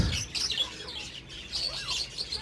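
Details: Budgerigars in a colony during breeding season chatter continuously, with bright, quick chirps and warbles overlapping, plus a short rising-and-falling whistled note midway.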